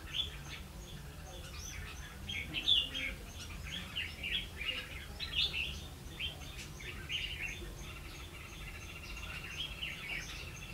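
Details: Red-whiskered bulbul singing during a trapping session on 16 October 2016: short chirpy whistled phrases come in bursts every second or two, fairly faint over steady low background hum, with a regular high ticking throughout.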